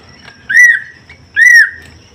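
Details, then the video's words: Greater green leafbird, a male and female being paired; two loud, clear whistled notes, each slurring upward and then level, about a second apart, with a faint steady high tone in the background. "Penjodohan Cucak Ijo"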